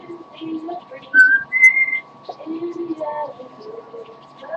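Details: Tired pet parrot singing softly indoors: two clear level whistles, the second slightly higher and longer, among quiet low murmuring notes.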